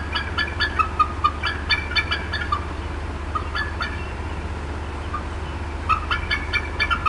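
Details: Upset female bald eagle at the Decorah North nest in April 2016: bursts of fast, high chattering clucks, a quieter pause with scattered single notes, then another rapid run, against a low hum.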